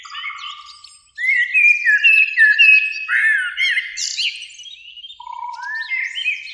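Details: Eurasian blackbird song in spring from two birds in a beech tree near a lake at evening: a low whistle, a pause, then a stream of mellow fluting notes ending in high squeaky flourishes.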